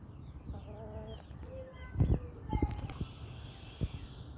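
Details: Pet Brahma breed chickens, hens and roosters, giving short tonal clucks with harmonics in a brief cluster, then a few dull thumps and low knocks, with faint chirps of small birds in the background.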